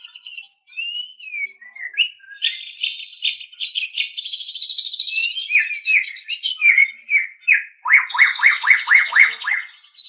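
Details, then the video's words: Master-training song of a white-rumped shama: soft whistles building into a long, dense passage of varied high chatter and buzzy notes, then a run of rapid downward-sweeping strokes near the close. "Ocehan Suara Burung Murai Batu"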